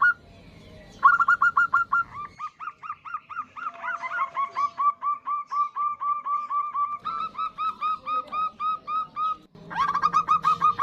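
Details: Local female zebra dove calling for a male as a lure: a long, nearly unbroken series of rapid short repeated coos lasting many seconds, with a few rougher noisy bursts between runs.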